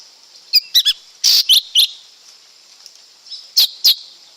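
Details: Lesser green leafbird giving short clusters of loud, squeaky, clipped high chirps and harsh notes, a quick trio, a burst of three more, then two after a pause, with a high background hiss.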